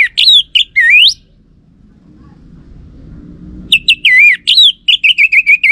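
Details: Orange-headed thrush song played as a lure so a male answers. Loud, swooping whistled phrases, then after a quiet gap a longer run of rich warbles ending in rapid repeated short notes, over faint low hum.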